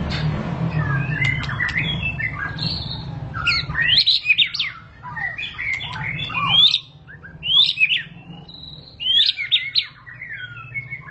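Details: Murai batu, the white-rumped shama, in a varied song of quick whistled slurs, chips and sweeping notes in bursts separated by short pauses, over a steady low hum. The song is said to trigger shamas into singing (ngentrok).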